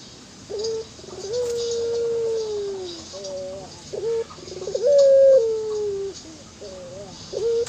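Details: Local dove cooing: low, drawn-out hooting notes, each gliding slightly downward, with short wavering phrases between them, repeated over about eight seconds against steady background hiss.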